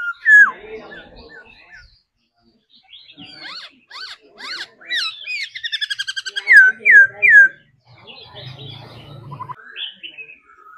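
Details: Cage-trained laughingthrush in its dancing song: varied whistled and buzzy notes, a fast trilled stretch, then three loud looping whistles, followed by quieter phrases with a low hum beneath.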